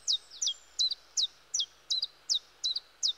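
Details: Common chiffchaff singing in woodland: a quick run of about eight high, sharp notes, each dropping steeply in pitch, some paired, delivered at roughly three per second over a soft background hiss.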